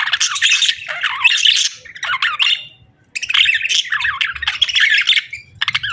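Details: Budgies chattering and singing indoors, two long, dense runs of scratchy warbled chirps and squawky notes separated by a short pause.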